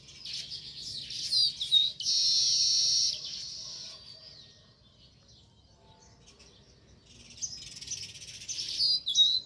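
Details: Village sparrow near the nest giving quick chirps followed by a second-long harsh buzzy rattle, a quiet pause, then renewed fast twittering chirps.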